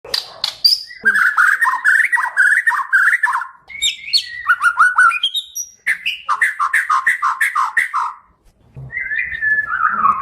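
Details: Kalimantan white-rumped shama, a Bornean form kept for training pet birds, singing rich, varied phrases: fluty whistled notes in rapid repeated runs, sharp high chips and buzzy bursts, with pauses between phrases.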